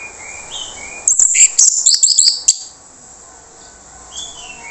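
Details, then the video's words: Orange-headed thrush with a rough, harsh song used as a lure for silent birds: a fast burst of scratchy, varied high notes for roughly a second and a half, followed by quiet background whistles from other birds. "PANCINGAN ANIS MERAH SUARA KASAR YANG DIAM LANGSUNG RESPON"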